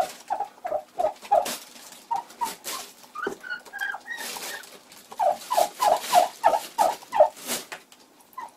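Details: Egg-bound Bronze turkey hen in February giving bursts of short, hoarse yelps repeated about three times a second, a pause with a few higher notes, then a second steady run of loud yelps; background knocks and rustling.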